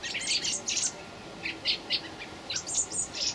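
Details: Common blackbird young begging on 26 May 2018, loud, high-pitched chirps in quick clusters, several short squeaky bursts in a few seconds.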